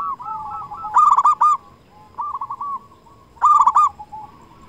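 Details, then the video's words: Local zebra dove singing, recorded as a lure for silent doves: soft purring coos building into loud stuttered rolling notes, repeated in phrases, over a low background hum. "Perkutut lokal gacor suara cocok untuk pancingan semua jenis perkutut yang malas bunyi"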